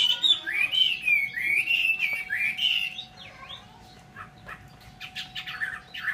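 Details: Chinese hwamei in Vietnam with a loud flowing whistled phrase for three seconds, followed by quieter, scratchy broken notes; a faint hum runs throughout.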